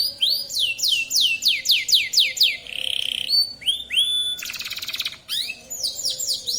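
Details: Local canary of the Bond colour variety singing vigorously: a series of swooping high whistles, a nasal buzzy phrase, rising whistled notes, a fast rattling trill, then more quick descending whistles.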